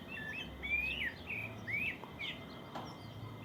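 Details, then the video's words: Rural morning bird song: a few clear whistles climbing in pitch and then falling away, a short pause, and fainter notes, with gentle low ambient noise. "Cuando vives en el campo aún puedes escuchar el lindo canto de los pájaros por la mañana"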